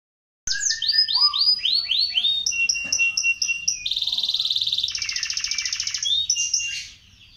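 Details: Young panda canary learning to sing: rapid series of sweeping, slurred high notes, then a dry buzzy rattle repeated very fast, a steady high whistled tone, and a closing sweep before silence.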